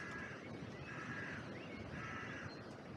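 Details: Crows in a cemetery oak, trail camera audio: three soft, somewhat distant hoarse caws in a slow series, partly masked by wind in the branches.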